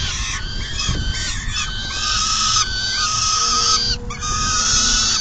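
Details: Female peregrine falcon feeding at the nest in June 2022 while the male departs after eating. Raspy, strained calls with a faint tonal edge repeat roughly every second, backed by low rumbling noise.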